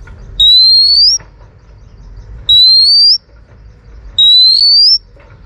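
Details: Female Oriental magpie-robin whistling to provoke males: three long, pure upward-gliding whistles, each under a second long, separated by gaps of about one and a half seconds, faint low noise between them.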